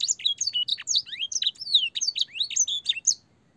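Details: Training song of a canary with blackthroat and sanger fill, used for young canaries: rapid high chirps and slurred whistles for about three seconds, ending with a short rising note.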